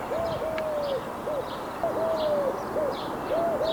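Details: Eurasian collared dove in the wild, its soft low cooing phrase of a brief note, a long sliding note and a short final note repeating quickly, with scattered high chirps from other birds behind.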